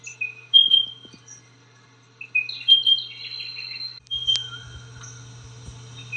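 Spotted pardalote giving soft, high whistled phrases of a few notes, repeated twice, over a steady low hum and a sharp click.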